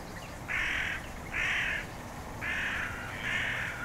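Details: Black-headed gull, captured on a RODE VideoMicro: four loud, raspy, drawn-out screeching calls, each lasting about half a second and spaced roughly one second apart, over a quiet low rumble.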